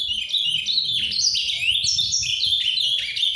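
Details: Captive ultramarine grosbeak in paraná-style song, called farrapo, singing softly: a fast, unbroken warble of bright slurred whistles and short rising and falling notes, with faint low rumbling underneath.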